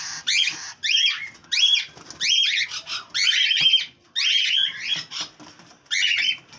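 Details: Cockatiel kept with its three young, giving rapid runs of sharp, twisting chirps and whistles in short bursts, with brief silent breaks between them.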